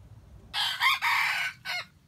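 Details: Bait rooster of wild jungle chicken crowing in a trap setting, earthy voice: a strong raspy crow in three parts, a short lead note, a long level middle stretch and a quick falling tail, then quiet.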